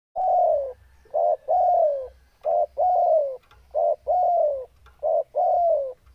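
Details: Spotted dove in breeding condition, calling in lively, full voice: mellow cooing phrases in which a short coo is followed by a longer note that slurs downward, repeated in steady rhythm with brief pauses.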